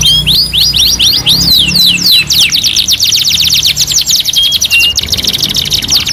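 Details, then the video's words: Canary song for tutoring young birds: clear looping whistles giving way to a fast, dense trill of repeated notes, about four per second. "MASTERAN KENARI 2 IN 1 | CANARY SINGING"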